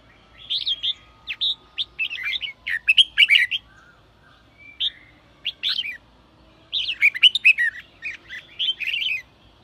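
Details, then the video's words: Sổ bọng song of a red-whiskered bulbul, played to stir wild-caught birds into singing. Dense, tumbling runs of bright, warbling and scratchy notes come in two long bursts. A brief soft whistle falls in the gap between them. "chào mào sổ bọng thúc bổi/bổi nghe là ra bọng/bổi nghe là ức chế sổ bọng ngay"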